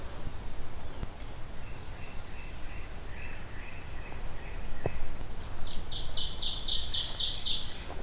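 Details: Ovenbird in Beverly Swamp near Hamilton, Ontario, in June, singing a loud, ringing run of quick repeated two-note phrases that swell in volume; an earlier thin buzzy blue-winged warbler note and faint chips over steady low rumble, tree frogs nearby.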